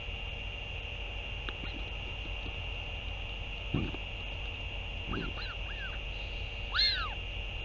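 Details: Northern royal albatross at the nest as a parent returns to feed its chick, dated 08 06 2023. A few soft low thuds, then short arched whining calls and one louder rising-falling wail near the end, all over a constant hum.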